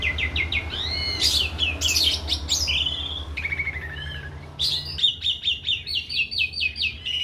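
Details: Canary singing in the morning in a small aviary: a varied, fast song of sweet rising whistles, rapid rolling trills and chattering notes, closing in an even, rhythmic trill, over a steady low hum.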